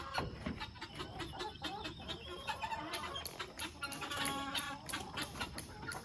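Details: Several chickens in a chicken tractor, ready to be let out on a homestead on July 25, cluck and chatter in short, overlapping bursts, with clattering and a person talking in the background.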